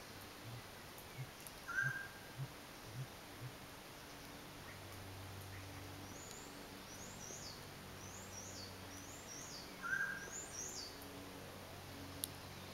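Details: A male sooty grouse booming from a Douglas-fir in southern Mendocino County, California, gives a string of very deep, soft "whoof" hoots about every half second, faint under a low rumble, while other birds chirp and whistle higher up.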